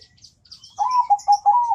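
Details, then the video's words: Zebra dove singing in a thick, melodious voice: after a near-silent start, one bubbly phrase of about four low, rolling cooing notes, with faint high chirps from small birds above. "perkutut suara tebal merdu enak di dengar"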